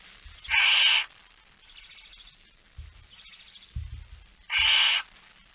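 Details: Barn owl with a mouse, 17 September 2019 at 06:11, gives two loud breathy screeches separated by fainter hissing, with low knocking and bumping sounds in between.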